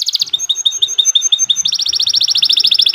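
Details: Caged canary singing a long song used to train young birds: a brief high trill, a series of short sharp whistled notes, then a rapid rattling trill repeated many times a second.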